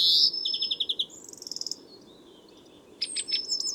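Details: European greenfinch in a garden early morning: a loud opening note, a quick series of pulsed trill notes, a faint twitter, a pause, then sharp high chirps and a thin whistle.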